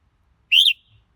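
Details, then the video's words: Red-whiskered bulbul singing one brief, rich whistled phrase with a slight rise and a quick fall, with no other sounds. "Chào Mào Hót Hay Nhất"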